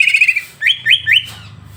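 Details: A greater green leafbird sings in a recording meant to provoke another leafbird: a rapid chattering trill, then three rising, looping whistled notes in quick succession, fading into faint background hum.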